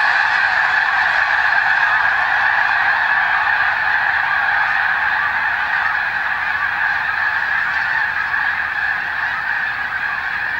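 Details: Large flock of snow geese on Fir Island in clear weather with a view of Mount Baker, giving a continuous dense chorus of overlapping nasal honks with no pauses.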